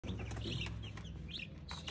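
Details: Brahma chicks giving a few short, high, downslurred peeps in under two seconds, set over a steady low droning hum.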